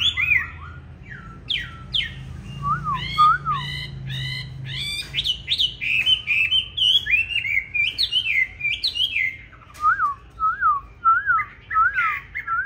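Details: Green-bean-eyed Chinese hwamei in fighting song, a recording for training hwamei to sing gently rather than harshly: varied bright whistled phrases, rapid rising notes, and repeated lower up-down whistles at steady intervals.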